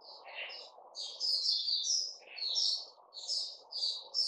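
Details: Caged bulbul singing short, bright chirpy phrases with buzzy, warbled notes that rise and fall, some lower slurred notes mixed in, over a soft steady low hum in the background.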